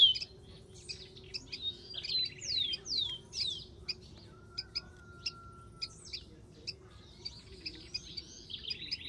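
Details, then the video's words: Rufous-collared sparrow in the wild, heard fairly faintly: several high slurred whistles drop in pitch, followed by a low steady tone, scattered sharp chips and a short buzzy trill among the background birds. "MASTERAN.BURUNG KICAU"SPARROW RUFOUS"(KICAU MANIA)Full Gacor di alam liar."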